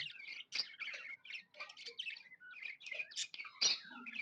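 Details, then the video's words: Tame budgerigars, described as happy, give quick broken chirps and scratchy twitters in short clusters separated by tiny gaps, fairly soft throughout. "Happy budgies chirping sounds"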